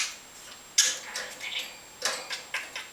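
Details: A talking budgerigar named Carlo produces scratchy, rapid Danish speech-like chatter in short raspy bursts with clicks, about five phrases over three seconds, in a quiet room.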